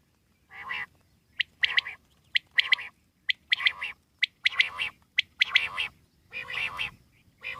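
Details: Wild common quail calling steadily, with clipped high triple notes repeating about once a second, bracketed by harsh nasal rasps at the start and end of the sequence.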